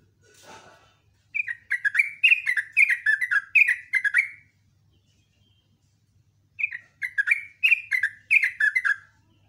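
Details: Rapid morning singing by a yellow-vented bulbul in 'ropel' style with chatter: after a brief rustle, two long runs of bright, bubbling, up-and-down notes about three seconds each, separated by a pause.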